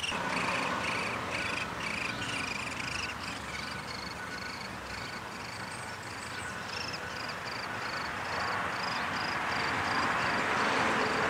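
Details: Downy woodpeckers at their nest during feeding, recorded May 20, 2021: a steady run of short, buzzy chirps, about three or four each second, over a constant background hiss.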